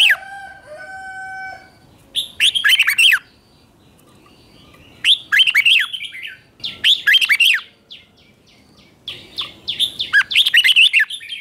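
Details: Morning ché-style training song of a red-whiskered bulbul, aimed at stimulating wild-caught birds: a few steady electronic-like tones open, then four bright, bubbling phrases of quick up-and-down whistled notes follow in close succession.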